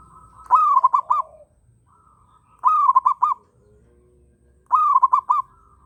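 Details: Zebra dove of local stock, in breeding condition, repeats its bright rolling coo about every two seconds, each phrase ending in three or four clipped pulses, with a deeper coo from another bird between phrases.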